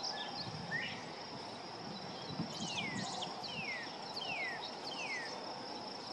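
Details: Juvenile painted bunting singing in a local park: a series of thin, downslurred whistled notes, each under a second, spaced about a second apart, over a steady high insect buzz and broad background hiss.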